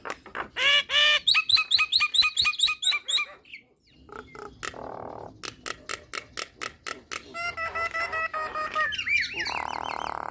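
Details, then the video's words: Nias hill myna repeats bright, bouncing chevron-shaped notes in a quick series. A long train of sharp clicks follows, then more ringing harmonic calls and a buzzy ending. "Jalak Nias Malas Bunyi Langsung Gacor Dengar Kicauan Jalak Nias Isian Mantap Ini"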